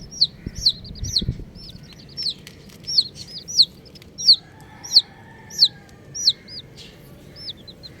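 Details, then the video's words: Colourful baby chickens cheeping: clear, high, downward-hooked peeps, about ninety a minute at an uneven pace, sometimes doubled. A faint low hum and a few soft thumps are heard early on. "Colourful Baby Chickens | Cutie Chicks Chirping Sounds"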